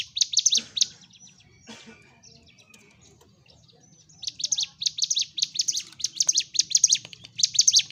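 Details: Sunda warbler singing its fighting-mode song, meant to provoke silent birds: a few scattered high chirps early, then from about four seconds a steady run of rapid, sharp, high-pitched notes.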